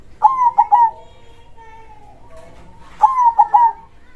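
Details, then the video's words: Local zebra dove (perkutut) singing strongly in the big-voiced dor krosing style: two phrases, each of three rolling coos with soft trailing notes, about three seconds apart, over a faint background hum. "suara perkutut gacor dor krosing suara besar"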